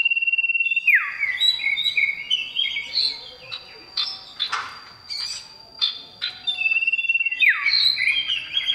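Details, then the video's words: A male common iora calls a female, opening with a long steady trilled whistle that drops sharply, then varied chirps. It ends with another held whistle and downward swoop. "Cipoh Jantan Gacor Panggil Betina"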